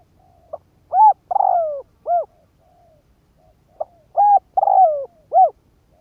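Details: Spotted dove decoy bird cooing to provoke wild doves: two phrases, each a soft tick, a rounded double coo, a long drawn-out descending coo and a short final coo, separated by about three seconds of quiet.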